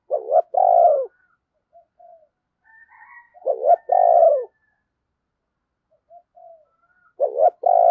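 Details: Spotted dove kept as a lure, cooing to bring wild doves closer: three repeated phrases, each a stuttered rising pair of notes running into a loud falling coo, separated by quiet murmurs about three seconds apart.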